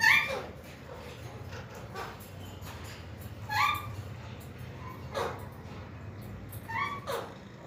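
Alexandrine parakeets give harsh, ringing squawks in short bursts every second or two, over a steady low rumbling hum.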